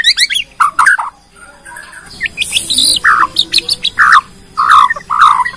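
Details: Bornean white-rumped shama singing a lure song that shows off its varied repertoire, meant to make other shamas start singing; loud slurred whistles and sharp high notes in short bursts, with a quieter pause near the middle.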